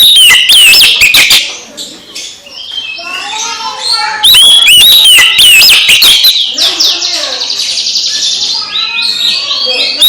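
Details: Song of an Oriental magpie-robin, used to rouse a sulking bird of the same species: repeated bursts of loud, ringing, slurred whistles and sharp ticks, alternating with softer chattering and warbling between the phrases.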